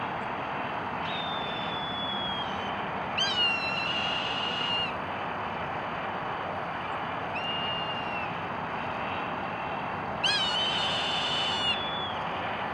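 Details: Hawk crying repeatedly: four drawn-out, high, whistled screams, some starting with a sharp rising flick and then holding level or slowly falling, spaced a few seconds apart against steady rushing background noise.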